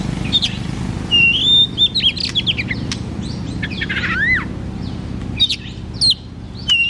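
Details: Loud white-rumped shama song meant to draw out a shama that seldom sings: repeated bright whistles and sharp chips, a swooping falling note near four seconds, more whistled phrases toward the end, low background hum.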